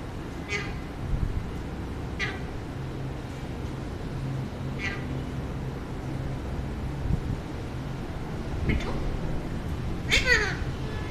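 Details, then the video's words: A talking pet Alexandrine parakeet, a male, gives short, scattered bursts of harsh, voice-like chatter every couple of seconds, ending in a louder squawky phrase, over a steady low indoor hum. "Parrot's Got Jokes: Comedy Roast with My Alexandrine Parrot!"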